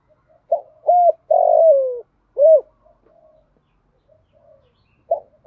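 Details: Lure call of a female spotted dove aimed at males, 'giọng thổ pha' with one closing coo: a full four-note phrase, short, doubled, long falling and rounded, then the opening of a second phrase near the end.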